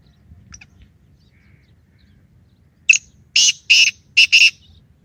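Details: Morning forest call of a black francolin: after near silence, a burst of five loud, rasping, broad notes, the last two closely paired.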